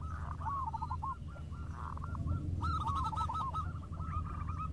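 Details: Local zebra doves calling back and forth: quick runs of soft, rolling coo notes, the phrases overlapping in places, over a steady low hum.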